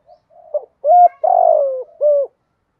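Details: Spotted dove fighting and calling, used for training birds. Soft introductory notes lead into a clear steady coo, a long rough descending coo and a final shorter coo, all close and without other sounds.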